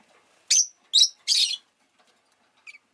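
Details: Rosy-faced lovebird giving three harsh, broadband chirps in quick succession, then a faint short note after a pause; quiet background otherwise.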